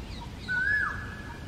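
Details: Indian peacock in India: a single drawn-out nasal cry that rises slightly, then drops off, heard at moderate distance over a soft, steady background hiss.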